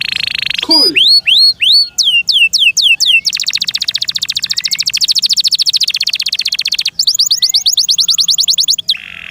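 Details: Domestic canary singing varied phrases: a buzzy tone, hooked whistles falling in pitch, a long dense mechanical trill, then a faster series of downslurred notes.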